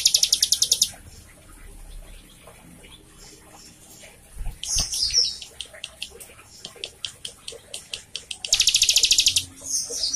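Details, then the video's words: Prinia song meant to prompt a captive bird to sing: short fast trills at the start and end, with scattered high chirps and squeaks in the middle section. "Pancingan / masteran cigun gacor buat cigun bakalan atau macet bunyi"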